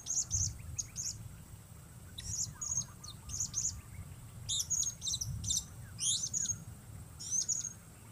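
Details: Blue-crowned hanging parrot, lured outdoors in changing weather, giving very high, thin, sharp tsit notes in short clustered bursts with pauses, against a low rumbling background.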